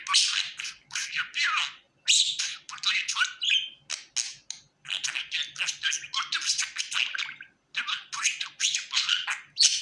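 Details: A happy pet budgerigar chatters in dense, scratchy warbling bursts, each lasting about a second, broken by brief pauses, with harsh rasping notes and quick chirps.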